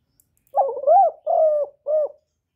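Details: Decoy spotted dove from Cà Mau, Vietnam, cooing to lure wild doves: a wavering low coo followed by two steady, slightly falling hollow notes, clean and close with no other sounds.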